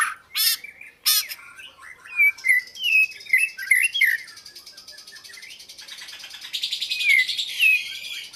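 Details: Oriental magpie-robin: two sharp harsh calls open, then a series of clear upslurred whistles, followed by a rapid trill and a few more bright whistled notes.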